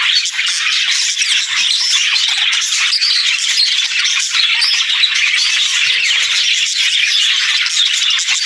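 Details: Happy budgerigars chirping and singing in the morning: nonstop overlapping high chirps, tweets and chattering warbles from many birds together.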